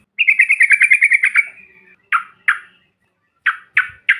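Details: Yellow-vented bulbul, ombyokan or bahan style call used to provoke other birds: a fast rattling trill lasting over a second, then five single harsh chips at irregular gaps.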